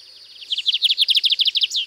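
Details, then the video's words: Rapid rattling string of high, buzzy notes from a Lined seedeater singing its distinctive song at Sítio Paraitinga, Cunha, ending with one longer descending note. "Canto do Bigodinho Canto Diferenciado"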